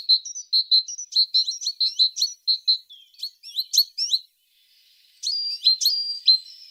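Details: A singing tit delivers a quick series of high, sharp whistled notes, then faster, rising and falling twittery phrases, with a short pause before a brighter warbling passage.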